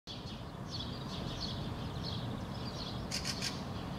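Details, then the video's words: A fieldfare perched in an apple bush in Helsinki, Finland, in June 2013, gives a quick run of three harsh, dry chacks near the end, over faint high chattering and a steady low background rumble. "Fieldfare perching in the bush, vocalizing"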